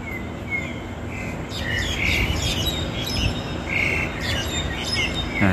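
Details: Wild flock of starlings and mynas, including jalak Hongkong and jalak Cina, flying about their gathering site: overlapping short chirps and whistled notes every second or so, over a steady low outdoor rumble.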